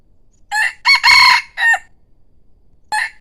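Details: Crowing decoy rooster giving a full multi-part crow, a short note, then a strong sustained harsh syllable and a dropping final note. About a second of quiet follows before the next crow begins.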